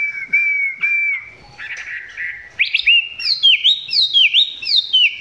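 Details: Chinese hwamei recorded up close with a not-yet-full song: steady whistles and a scratchy passage lead into a series of bright, repeated, upward-sweeping whistled notes.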